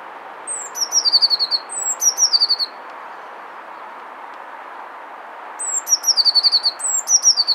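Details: Eurasian blue tit courting a female. Four song phrases come in two pairs separated by a quiet pause. Each phrase has high, thin lead-in notes and a quick run of sweet, trilled notes against faint background hiss.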